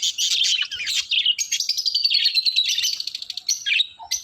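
Budgerigars chatter in a continuous high, buzzy warble of rapid chirps and squeaks.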